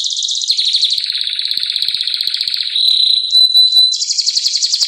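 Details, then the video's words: Canary in continuous song: rapid rattling trills shifting into a lower, smoother rolled phrase, then a high, fast pulsed trill, all strong and unbroken. "Canto Canario do Reino."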